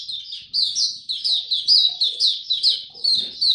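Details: Male white-eye, recorded 9 February 2022 as his song matures, giving a fast, high twittering run of short slurred notes in repeated bursts, each roughly half a second, with a faint low rumble underneath.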